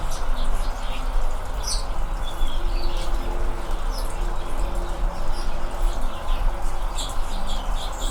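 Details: Californian Anna's hummingbirds with red throats in fall: scattered thin, high chirps and squeaky ticks, some in short clusters, above a constant low background rumble.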